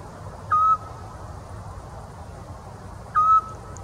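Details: A Eurasian scops owl in the Czech Republic, July 2023, gives two short, soft, mellow whistled notes about two and a half seconds apart, with a low rumble of distant background noise.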